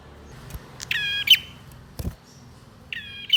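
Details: Male bar-winged prinia singing as a lure for birds gone quiet: two harsh, buzzy phrases of stacked tones, the first ending in a sharp flick, with a dull knock between them and low background hum.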